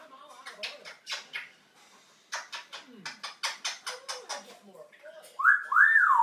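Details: Twenty-one-year-old pet African grey parrot: a run of about a dozen quick, dry clicking bursts with short pauses, then a clear, loud, arching whistle over the final second.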